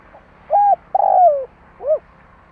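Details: Spotted dove kept as a lure in Vietnam, cooing to bring wild doves close: a quiet lead-in note, a flat coo, an extended falling coo and a final shorter arched note.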